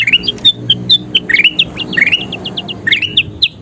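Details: Vigorous 'gacor' song of a kutilang emas (golden bulbul), used to train birds to sing more: clear whistled notes and rising slurs delivered in a chattering, varied stream with brief pauses.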